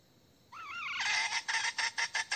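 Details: Hen calling to find a rooster: a wavering, rising-and-falling tonal note slides into a string of loud, rough pulses that come in short, evenly spaced bursts.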